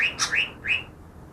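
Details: Greater green leafbird caught two days earlier, said to mimic ten other bird species; three short slurred whistles, the middle one paired with a high sharp note, spaced about a third of a second apart.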